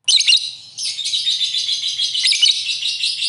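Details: Lovebird singing vigorously (gacor): dense, unbroken high-pitched chatter of buzzy, shrill chirps and squeaks, with a brief dip after the opening burst before the twittering resumes steadily.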